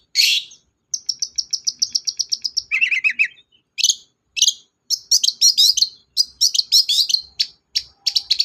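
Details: Lure recording of a gacor long-tailed shrike for birds that will not sing: a harsh burst, then a rapid, evenly ticking trill, then varied twittering phrases of sharp chips and warbled notes.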